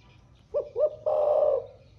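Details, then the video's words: Spotted dove with a 'thổ pha' style voice, described as cooing all day; two quick low hoots followed by a long, steady, slightly wavering coo, clear against a quiet background. "giọng THỔ PHA mới nổi gáy cả ngày"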